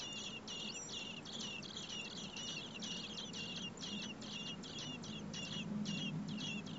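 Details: Hungry common blackbird nestlings, four in the nest, begging as parents bring food in over 30 °C heat; shrill, clipped, high peeps repeated in fast irregular bursts throughout, with a low hum underneath.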